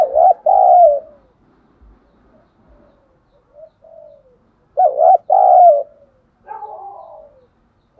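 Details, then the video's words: Decoy spotted dove with a 'thổ sấm' voice calling to provoke wild doves to come in and fight: loud low coos, a short double note and then a longer drawn note, given twice about five seconds apart, with soft murmurs between. "Chim Cu Mồi Thúc Đấu Dùng Kích Bổi Nhanh Về Cội"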